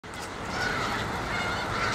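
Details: A huge migrating flock of snow geese, an estimated 2,000 to 3,000 birds, gathered on a school yard, makes a dense, unbroken chorus of overlapping nasal honks.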